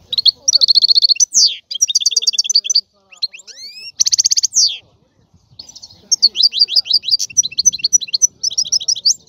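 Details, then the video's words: European goldfinch delivering buzzy trills and tinkling twitters with brief gaps, including a rising slurred note, then a longer run of quick chirping notes. "لا يمكنك ان تسمع اقوى من غناء هذا الحسون"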